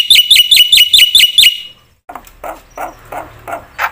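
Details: Black-winged myna in full song, used to provoke other mynas: about eight sharp, bright, upward-flicking notes in quick succession, then a pause and softer, rougher notes.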